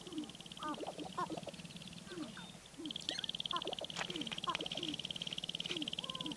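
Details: Sharp-tailed grouse near Baudette, Minnesota: several birds give short clucking and rising-falling whoop notes, scattered and overlapping, above a steady rapid ticking pulse and a continuous low hum.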